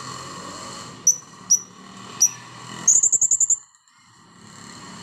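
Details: Blue-crowned hanging parrot after its bath: three thin, sharp high notes about half a second to a second apart, then a fast stuttering run of about seven shrill squeaks before near-silence.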